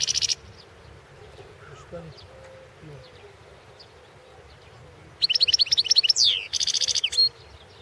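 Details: Balkan goldfinch, Carduelis carduelis balcanica, singing in a 2016 world championship song recording. A brief high burst opens, then after quiet comes a dense run of rising twittered notes, a downward slur and a fast trill ending in a thin whistle. Soft low murmur behind.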